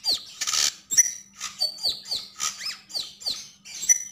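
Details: Sogon, the Javan grey-throated white-eye, in strong song: high falling and arched whistles in quick succession, opening with a harsh noisy burst, with a faint background hum.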